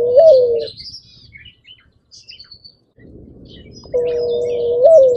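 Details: Cooing dove sitting on a branch: a low smooth coo that curls up at its start, a quiet gap filled with faint high chirps from small birds, then a longer level coo ending in a slight rise.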